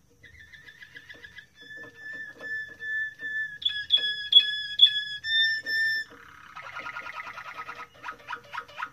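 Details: Moroccan Malinois canary song: rapid bubbling trill, then long pure flute-like whistled tones held at steady pitch, some stepping higher, ending in a dense rolling warble and fast repeated descending notes, all in a quiet room.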